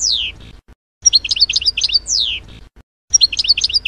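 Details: European goldfinch in passades song: a long falling whistle followed by a jumble of quick high chirps and twitters, repeated, over faint low background rumble.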